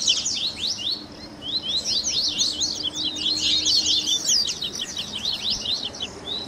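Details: Double-collared seedeater baderna for training captive birds, mixing grego, viviti and flauteado phrases: quick, high slurred chirps in an unbroken, chattering series that grows busier toward the end.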